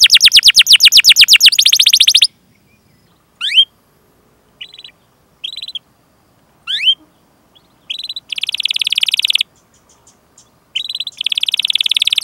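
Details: Canary chirping and rolling song used as a training lure for other canaries: a fast trill, then a quieter stretch of scattered single upslurred notes, followed by loud buzzy rolling bursts.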